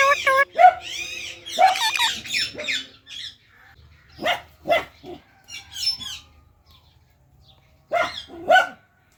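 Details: Talking Indian ringneck parakeet making harsh chattering squawks and harmonic calls, then quieter voice-like mutters and a final pair of sharp calls after a pause.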